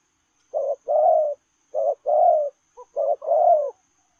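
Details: A spotted dove coos while running in the 'lèo rồng' style, giving three low two-part phrases, a short note then a longer burry one, with a tiny extra click between the second and third.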